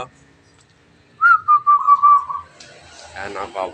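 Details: Zebra dove, a wild-caught local bird beginning to sing, gives one phrase of rapid soft cooing notes that starts a little higher and slides lower, followed by a man's voice speaking.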